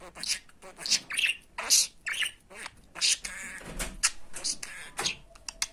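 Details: Talking budgerigar reciting Turkish words including "fıstık" and "aşkım", a recording meant for training budgies to speak; rapid scratchy chatter mixed with clicks and high squeaks, nearly continuous.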